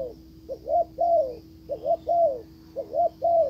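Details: Decoy spotted dove cooing to bring back a wild dove that stays away; mellow low phrases, a quick double note followed by a long arched coo, repeated three times in about three seconds over a steady background hum.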